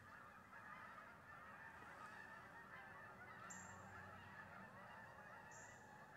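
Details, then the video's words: Geese landing in a wheat pasture on an October 25th morning, recorded from a deer stand, keep up a thick, unbroken chorus of overlapping honks from many birds, with a low rumble of wind underneath. "Geese in the morning"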